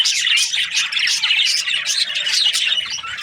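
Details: Aviary budgerigars housed as breeding pairs chirp and warble together, quick bright notes repeating in a dense, unbroken twitter.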